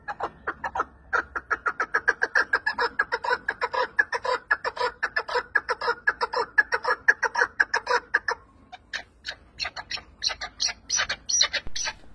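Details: Partridge with a fine appearance, praised for its beautiful voice; a rapid series of harsh, chuckling notes about two per second for eight seconds, then sharper, higher clicking notes with a brief pause.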